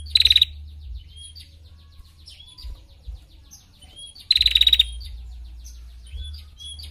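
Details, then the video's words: Female prinia, recorded as a lively-singing tutor recording for training other birds, gives two dense, high, rattling trills about four seconds apart, each half a second long, with soft scattered chirps and a low hum between. "Prenjak Betina Gacor Untuk Masteran l Ngetirr Rapat"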